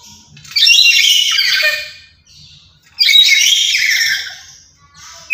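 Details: Active lory used as a lure and tutor for other lories, giving two drawn-out raspy squawking screeches with a faint low hum in the background between calls.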